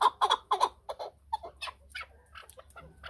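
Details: Chukar partridge calling: a quick run of harsh, clucking chuck notes, four loud bursts within the first second, followed by softer, scattered chucks and clucks over a steady low hum.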